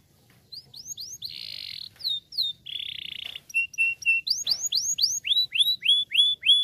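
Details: Canary song played to stimulate other canaries to sing: soft rising whistles, two buzzy high trills, short flat notes, then a clear series of downslurred whistled notes at about three per second.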